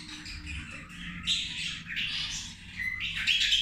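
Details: Zebra finches at lunch, feeding: a chorus of short nasal buzzy calls and chirps from several birds, overlapping in bursts with constant background chatter.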